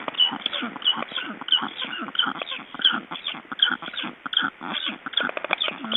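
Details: Black storks in Estonia, handled during ringing on 29 June 2012, give rapid, rough, repeated yelping notes, about one and a half a second, slightly uneven, with the thumps and rustle of handling.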